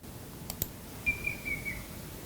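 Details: A Banded Bay Cuckoo gives a quick run of about four thin, high whistles sliding slightly downward, after a couple of faint clicks; the call is presented as the model that Racket-tailed Drongos mimic.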